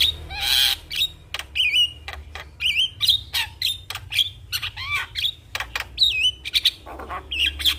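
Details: Javan myna singing a full, varied song with imitated sounds: loud raspy bursts mixed with twisting, slurred whistles and sharp clicks in quick, uneven succession throughout.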